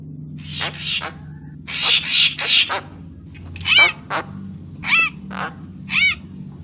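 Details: Papuan magpie-robin song used as a bird-catching lure: harsh, noisy bursts at the start, then a series of short, arched whistled notes with ringing overtones, each separated by brief pauses. A low steady hum runs underneath.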